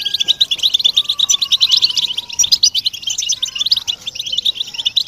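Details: European goldfinches chattering together in a group, calls meant to stimulate silent males to sing: dense, continuous high twittering and tinkling notes, overlapping rapidly, with faint thin whistled tones lower down.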